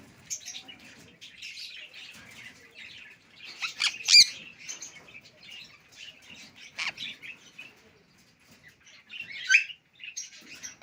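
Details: Pet Alexandrine parakeet said to talk in Urdu and English, giving scattered bright, harsh chattering notes with rich overtones, one sharp loud burst near the middle and another late, quiet pauses between.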